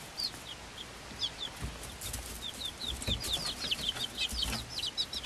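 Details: Five-week-old Swedish Flower Hen chicks, hatched 26 February 2022, with a Silkie chick of the same age: many high, short, downslurred peeps in quick bursts, growing busier toward the end, over soft rustling and scratching noises.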